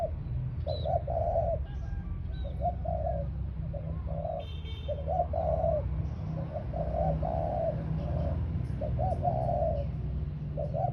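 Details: Spotted dove kept as a ground decoy coos continuously for eleven seconds in rolling repeated phrases, with occasional brief high chirps and a buzzy burst near the middle over low hum.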